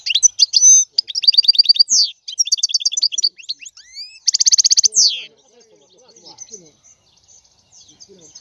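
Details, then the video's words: European goldfinch pouring out rapid high twitters, rattling trills and buzzy slurred notes for about five seconds, followed by faint soft background sounds. "لا يمكنك ان تسمع اقوى من غناء هذا الحسون"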